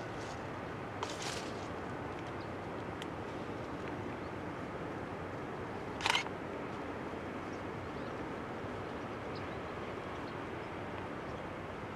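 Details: Two sharp camera-shutter clicks over a steady outdoor background hiss, with no clear animal calls.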